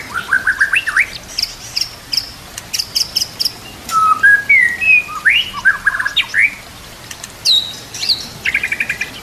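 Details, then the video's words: Tutor song of a white-rumped shama meant for training captive shamas, with mimicked phrases of other birds; varied separate phrases of sharp rising and falling whistles, clicks and brief buzzy notes with short pauses between them. "MASTERAN MURAI BATU ISIAN KAPAS TEMBAK KENARI CILILIN"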